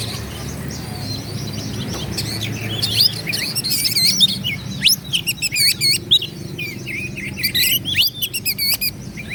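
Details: Lively Oriental magpie-robin song meant to stir rivals into fighting and tail-spreading; soft warbling builds into loud sharp upsweeps and a fast series of repeated looped whistles, roughly four per second near the end.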